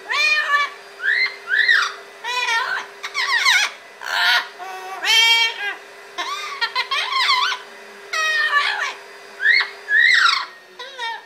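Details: A happy male double yellow-headed amazon sings after his bath until dry, chattering in short bursts of rich, harmonic squawks and rising whistles, about one burst per second, over a steady low indoor hum.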